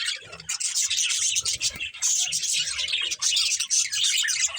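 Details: Budgies playing give a thick, continuous wash of high twittering and chirping, with rustling and soft low background noise underneath.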